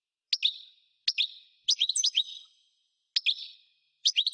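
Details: Singing European goldfinch giving short bursts of bright, liquid twittering notes with buzzy trailing tones, repeated roughly every second or so with brief pauses.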